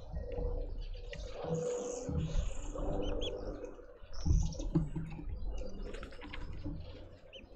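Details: Family of red-billed woodhoopoes causing a commotion in a South African suburban garden in Pretoria; rapid, harsh, squeaky chatter rises and falls in uneven waves, with steady low-pitched rumbling noise throughout.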